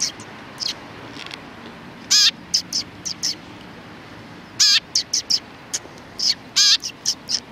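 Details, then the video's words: A group of sparrows on 31 October 2019 exchanging calls: harsh, buzzy descending notes mixed with quick high chirps, repeated in loose clusters every couple of seconds. "可愛いすずめ達 20191031 1（くっつき君と意味不明な会話）"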